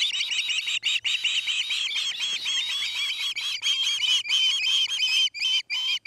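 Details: Osprey at a nest in Charlo, Montana, on an afternoon nest-cam recording from August 29, 2018: six seconds of loud, rapid, piercing squealing chirps, densely packed with only brief gaps, over a faint low hum.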